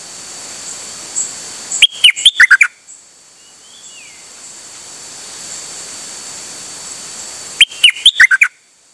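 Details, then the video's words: Nok dok taeng bird singing repeatedly, 8 September 2023. Two fast phrases of about seven whistled notes come roughly six seconds apart, each jumping between high and lower pitches. Between them is a faint soft slurred note and steady hiss. "เสียงนกดอกแตงEp.187 จ้าวขันเงิน นานๆออกเที่ยวสับไม่หยุด!!"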